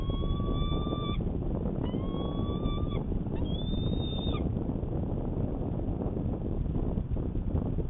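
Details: Courting peregrine falcon, morning of 25 March 2020, Manchester, New Hampshire: three drawn-out, slightly rising wails in the first half, then only the steady low roar of city traffic.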